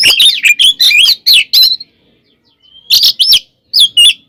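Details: Loud fighting song of an oriental magpie-robin, meant to provoke other birds. A quick cluster of bright, slurred whistles, a pause with one long thin whistle, then more sharp looping notes.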